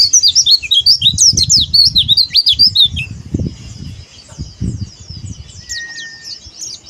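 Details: Oriental white-eye in 'buka paruh' singing: about three seconds of rapid, high, zigzagging chirps and whistles, then quieter distant twitter, a single thin steady whistle, and scattered low thuds.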